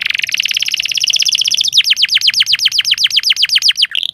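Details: Canary master song meant to teach lazy canaries to sing. A fast, high, buzzy trill gives way to a long series of sharply down-swept chirps repeated about four per second, ending with a rising note.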